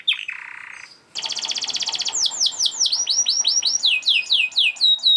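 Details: Fast canary song used to stir quiet canaries into singing: a short low buzzy phrase, a brief pause, a rapid rattling trill, then quick repeated high downslurred notes about four per second.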